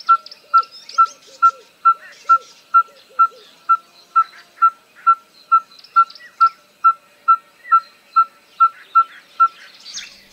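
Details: Red-fronted Tinkerbird: a steady, monotonous series of hollow, mid-pitched 'tonk' notes, about two per second, with other birds twittering and chirping behind. The call sounds almost identical to the Yellow-fronted Tinkerbird's.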